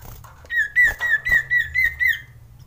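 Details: Mating-mood male common iora (sirtu) in a lure recording for birds reluctant to sing: seven clear, even whistled notes at steady pitch in quick succession, with faint clicks behind.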